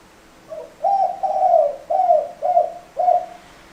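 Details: Spotted dove giving a run of low mellow coos, a short soft lead note then four to five rounded hoots roughly every half second, clear against a quiet background.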